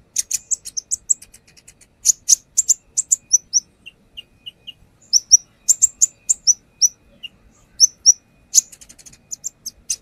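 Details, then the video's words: A brown-throated sunbird singing energetically, showing off its fill-in phrases, for use as a lure: bursts of rapid high chips, a few lower whistled notes midway, then renewed fast chattering. "AKSI KONIN NAGEN BONGKAR ISIAN | Pancingan konin"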